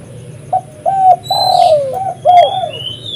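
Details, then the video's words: Spotted dove in full voice, its call used to lure other doves: short low hollow coos, then a long drawn-out coo that slides downward, followed by another falling coo. Faint high bird notes sound in the background. "suara burung tekukur gacor paling ampuh untuk pikat dan pancingan"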